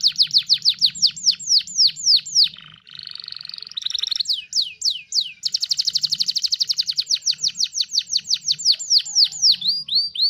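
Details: Canary master song for training songbirds: rapid falling whistles, then a harsh buzzy churring passage, more sweeping notes, and a long fast trill that gradually slows into separate downslurs, over a faint hum.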